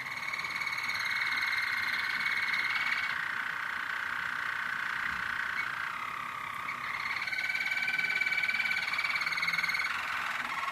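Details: Singing roller canary: a continuous, smooth rolling trill that shifts slowly between pitch levels without pause.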